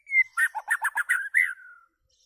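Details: White-rumped shama singing loud: a clear slurred whistle opens, followed by a quick sequence of warbled, bubbling notes and a falling drawn-out whistle to finish.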